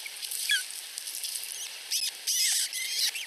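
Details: Shrill begging squeaks from two osprey nestlings less than a week old, vying for food from the mother at a Finnish nest; short high chirps early, then a denser run of sliding squeals near the end, over constant hiss.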